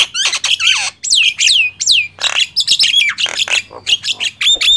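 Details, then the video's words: Loud gemboran contest between a Nias hill myna and a black-winged myna: dense run of piercing whistles, rising and falling slurs and rasping squawks, almost without pause. "Adu keras gemboran jalak nias vs jalak kebo"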